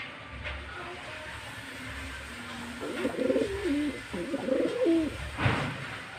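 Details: Pigeons, two females fighting over one male, giving a short burst of low, throaty, rolling coos that rise and fall in the middle stretch, over a steady background hum, with a sharp knock near the end.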